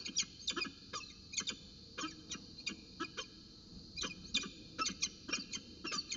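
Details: Peregrine falcons at Orange, morning of 4 December 2018, around 8:27, interacting in a roundabout dance. Bursts of harsh, clipped repeated notes come in uneven clusters with short pauses between them over a steady faint hum.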